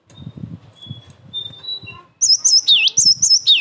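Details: After soft clatter and faint thin whistles, a cinereous tit bursts into loud song used for provoking answers and training: high clear notes alternating with a deep swooping whistle.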